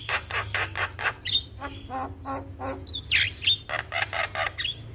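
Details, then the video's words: Young Javan myna singing incessantly in a champion chatty style, used as a tutor recording: a fast run of harsh chattering squawks and buzzy bursts broken by a couple of sharp whistled notes, over a low background hum. "MAsteran Burung Jalak Muda Bikin Rajin Bunyi Tanpa Henti - Jalak Kebo Gacor Juara"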